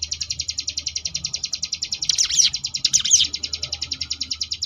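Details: Sunda bush warbler in ngebrem variation song, a tutoring recording for competition birds: fast high pulsed buzzing notes repeated in a steady chain, with two louder harsh overlapping bursts midway.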